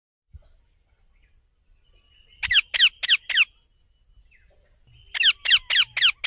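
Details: Baby parrot calling: harsh, buzzy squawks with a downward sweep, in a quick burst of four and, after a pause, a burst of five, against a quiet background.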